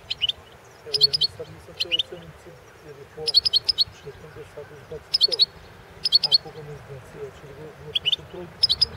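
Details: European goldfinch of the Balkan subspecies Carduelis carduelis balcanica, recorded for the 2016 world goldfinch song championship held over the internet. Short bright twittering bursts of buzzy, tinkling notes come every second or so over a low background murmur.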